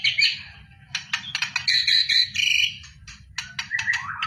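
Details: White-rumped shama singing in preparation for a song contest, delivering sharp clicks and chips followed by clear whistled phrases, varied and rapid, ending in lower rising whistles; a soft low hum underneath.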